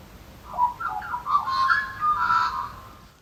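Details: Australian magpie, a local male defending his territory, sings at 1–2 a.m. outside a house near Canberra during nesting season: a rich run of warbling, fluting notes gliding and breaking around the middle pitches, with no other sounds.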